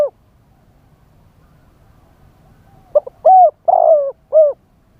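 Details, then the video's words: Live decoy spotted dove calling to attract wild doves. After about three seconds of near silence comes a song phrase: brief stuttered notes followed by three full, mellow coos, the middle one longest. "เสียงต่อนกเขาใหญ่ คารมป่า 100 % ต่อสด"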